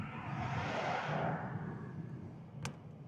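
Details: A car rumbles past and fades, followed by a single sharp click near the end.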